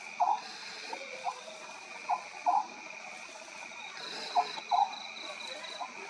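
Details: Oriental scops owl calling at night: short low croaking notes, given singly and in pairs, repeated every second or so over a steady hum of insects.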